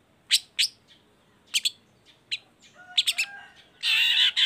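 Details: Long-tailed shrike (cendet, baham type) in energetic song, used as a lure to get other shrikes singing: scattered sharp, high chipping notes in pairs and short bursts, ending in a loud, harsh, buzzy rasp.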